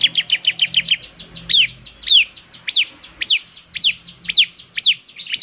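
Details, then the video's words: Bar-winged prinia, ciblek semi type, singing eagerly with the distinctive voice that makes others join in; a fast run of doubled chips slows into clear downslurred whistles repeated about every half second. "ciblek semi gacor, suaranya yang KHAS bikin ciblek semi IKUT bunyi"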